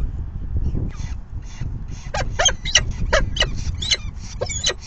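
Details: Falcon nestlings at the nest during the fifth feeding of the day, 9 May 2020, 4:40 PM: harsh, screechy begging calls, first faint and spaced, then loud and rapidly repeated from about two seconds on, over low rumbling background noise.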